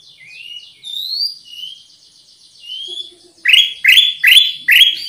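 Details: Soft, thin sliding whistles open this Black-capped bulbul lure recording, followed by four loud, sharp rising chirps in quick succession.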